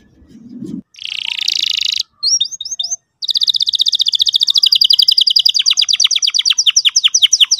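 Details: Canary singing energetically, used as a lure to teach a young canary to sing: a short low rasp, then a harsh buzzy burst, a few chipped notes, and a long run of fast high trills that slowly drop in pitch.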